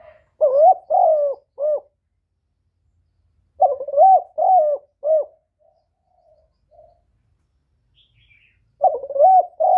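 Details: Spotted dove giving loud coos: three-part phrases of deep, mellow, wavering notes, each phrase about a second and a half long and repeated every four seconds or so, with near silence between.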